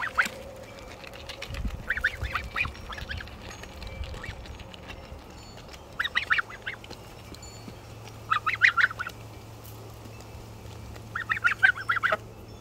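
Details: A happy goose gives bursts of harsh, nasal honking in short clusters, roughly every three seconds, over a low steady hum.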